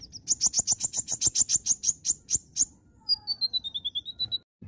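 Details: Energetic song of an Oriental magpie-robin: a fast series of about sixteen sharp, high notes, then a quicker run of thin whistles stepping slightly down, ending with a soft low thump.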